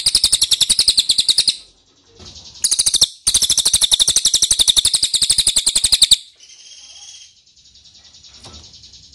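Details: Ashy tailorbird calling as a lure to provoke replies: long bursts of rapid, piercing chips, one lasting about three seconds, then a faint high hiss and quiet background.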